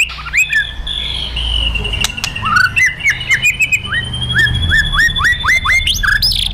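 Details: White-rumped shama fighter in a provoking, emotion-raising session: rapid sequences of rising whistled upslurs and sharp cracking notes over a steady high tone, with clicks and background noise throughout.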